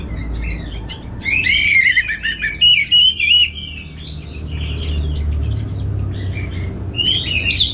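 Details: Orange-headed thrush in a cage in Singaraja, North Bali, singing energetically: a rising, rich warbled phrase with sharp accented notes, a pause, then softer twittering and a final bright flourish, with low rumbling noise throughout.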